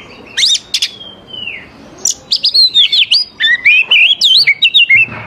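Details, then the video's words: Oriental magpie-robin song used to lure young wild birds into answering: loud whistled phrases of rapid rising and falling notes, a long sliding downward whistle early on, then dense varied twittering motifs. "KACER GACOR SANGAT AMPUH UNTUK MEMANCING KACER MUDA HUTAN BIAR IKUT NYAUT DAN LANGSUNG GACOR"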